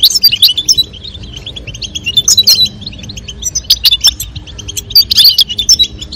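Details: European goldfinch male song and female call for mating stimulation: separate bursts of bright, tinkling chirps and short trills every second or so, with quieter twittering between.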